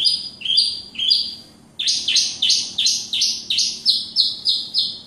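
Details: Horsfield's bush lark (Javan bush lark), a kept bird in full song: rising, upslurred whistles, then a steady chain of about ten bright, slightly buzzy notes repeated every third of a second.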